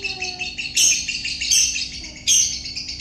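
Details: Lovebird giving its long ngekek song: a continuous, rapid, high chattering trill, rising into three louder, sharper surges about three-quarters of a second apart, with nothing else clearly heard.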